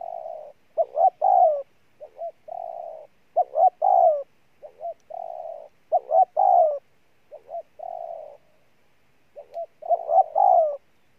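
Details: Long run of spotted dove cooing in the 'gù' style: repeated low phrases of soft double notes, a level drawn-out coo and emphatic falling notes, cycling steadily over eleven seconds with nothing else heard.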